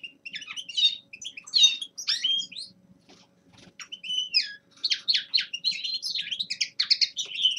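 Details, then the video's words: Young male linnet's winter warm-up song: bursts of bright twittering and slurred whistled notes, a near-silent gap around the middle, then a lively run of fast chattering phrases. "Распевка Реполовов песня Carduelis cannabina"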